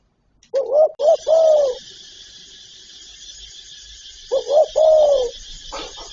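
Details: Spotted dove cooing in its full calling repertoire; two phrases of two short coos then a longer rising-falling hoot, about four seconds apart, with a faint high hiss in the background.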